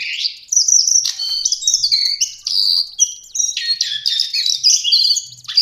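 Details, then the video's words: Lesser shortwing (cingcoang coklat) song used as a tutor recording for songbirds: rapid, varied, high warbling of sharp whistled notes and trills, with short slurred and buzzy phrases packed closely together and barely pausing. "Master Pancingan Burung cingcoang/jongkangan coklat"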